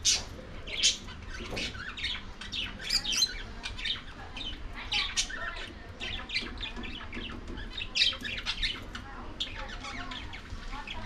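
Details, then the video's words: Lovebirds feeding on corn, continuous high squeaky chatter and squawks from several birds, sharp notes crowding together with occasional louder peaks throughout. "Love birds feeding ||Love birds sounds |eating corn ||Lovebirds"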